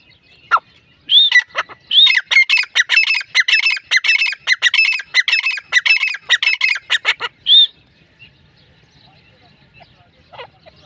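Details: Iranian partridge giving a rapid series of harsh, squawking notes with strong harmonics, about 25 bursts packed between one and seven and a half seconds, each around two to four kilohertz-bright; a lone squeal starts and ends the run, then quiet.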